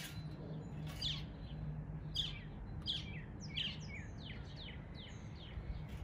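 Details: Northern mockingbird in an East Tennessee neighborhood imitating local birds: faint, spaced bursts of high chirped notes about once a second, then a run of quick downward-sweeping whistles, over a steady low rumble.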